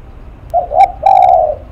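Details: Spotted dove calling: two short soft hoots lead into a longer, even coo. The sound is loud and clear against a quiet background.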